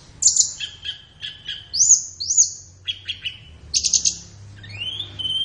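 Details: High, sharp flowerpecker song for training captive birds in the morning or afternoon: quick chip clusters and rising slurred whistles, ending in a thin upward-sliding note.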